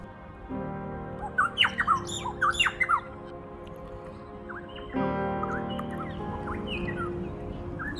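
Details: Varied Honeyeater in north Queensland's tropical coconut groves gives a loud, ringing four-syllable phrase, followed by a softer matching reply from its mate, over quiet background music.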